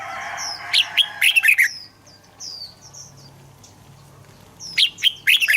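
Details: Red-whiskered bulbul singing to encourage other birds: a lively cluster of bright whistled, slurred notes, then softer high chirps and a second burst of song at the end.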